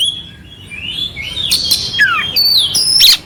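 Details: Oriental magpie-robin, clear song with rough fill-ins for tutoring a sluggish bird; softer thin whistles gliding up and down, building to a louder high phrase at the end.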